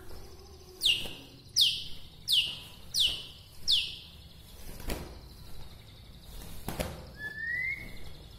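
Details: Bahorok white-rumped shama from Medan, whose song is said to rouse other shamas: five steeply falling whistled notes about one second apart, a few clicks, then a rising drawn-out whistle.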